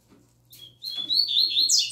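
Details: Novice young papa-capim, the double-collared seedeater, starts its tui tui zel zel song with a long steady whistle that swells into loud, buzzy, warbling phrases. A low hum runs steadily beneath.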